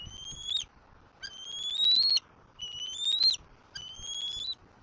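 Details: Young bald eagle, Southwest Florida, calling insistently after its father drops to the nest with a fish; four drawn-out, slightly climbing squeals with brief gaps between them over a quiet background.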